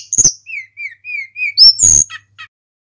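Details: Local Hill Blue Flycatcher singing lively, a recording meant to lure and stir other birds into song: sharp high whistles, a row of four clear slurred whistles, then bright twittering notes and brief clicks.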